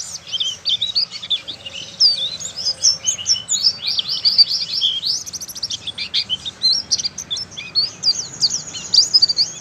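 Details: Young oriental white-eye from Malang learning its song gives a busy, high-pitched twittering of thin rapid chirps and squeaky notes, tumbling on almost without pause.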